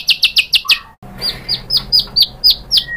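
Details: White-rumped shama stirred into replying with mimicked material: five fast high chips in a burst, a brief silence, then evenly spaced sharp downslurred notes repeated about four times a second.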